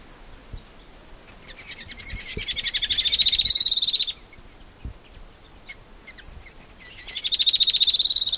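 Shining sunbird giving a fast, high, buzzy trill that swells in volume over about two seconds and then repeats after a short pause.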